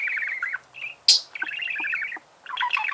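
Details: Budgerigar song: fast rippling chatter of short notes, broken by one loud sharp squeak, then more bubbling warble.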